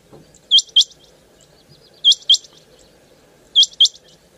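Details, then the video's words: Quail call, bright paired notes with a quick rising flick, repeated three times at about 1.5-second intervals over a faint low hum. "Bater ki Awaz||Batair ki kirak"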